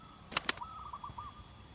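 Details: Wild local zebra dove singing actively in the wild: two sharp clicks, then a quick staccato run of about five short, soft, level coo notes at mid pitch, over faint steady background hiss.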